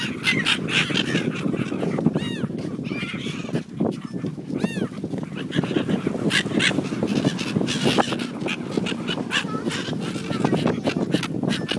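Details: At Bang Pu on 12 April 2012, Brown-headed gulls in breeding plumage, soon to fly back to pair, give short arched screeching calls. A few calls stand out against constant low rumbling noise.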